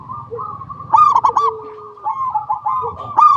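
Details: Local zebra dove in full song, used as a lure to prompt other doves to sing: bright cooing notes near one pitch, broken by quick rolling trilled bursts at about one, two and three seconds, with softer lower sliding coos between.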